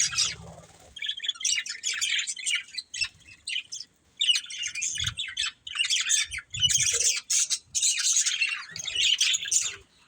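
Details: Budgie family chirping in bursts: several seconds of scratchy, squawky warbling chatter broken by short silences, with soft low thumps between phrases.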